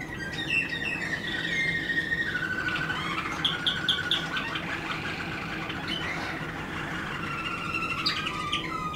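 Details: Waterslager canary in song: long flowing whistled phrases, a quick burst of bell-like pips near the middle, then a rolling, warbling trill with a faint hum underneath.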